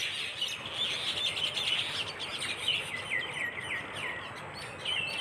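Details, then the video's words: Birds in a flock chirping at dawn on a dew-wet rural path in Bangladesh; busy overlapping high chirps and short descending twitters, several callers together with constant background hiss. "পাখির ঝাঁক বেঁধে কিচিরমিচির শব্দে ঘুম ভেঙ্গে সকাল"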